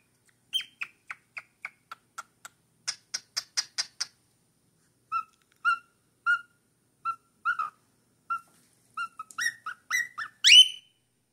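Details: Young cockatiel, four months old, singing: a fast run of short ticking chirps, then slower, lower whistled notes spaced about half a second apart, ending in louder rising whistles.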